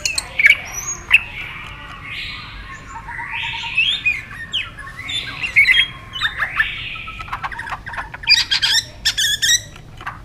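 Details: White-rumped shama in competitive song, fainter and more distant: scattered sharp chips and slurred whistled phrases separated by pauses, ending in clicking notes.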